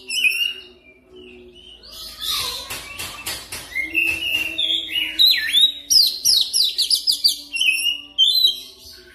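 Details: Oriental magpie-robin song used as a training lure for fast, continuous singing: scattered whistles, a stretch of rapid clicking pulses, then a fast sequence of rising and falling whistled notes, with a faint low tone beneath.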